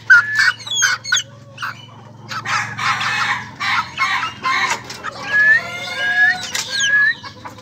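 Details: Ayam Ketawa laughing chicken, a young bird, delivering choppy, harsh crowing bursts in an uneven stuttering rhythm, then a smoother drawn-out call, while small birds chirp sharply in the background.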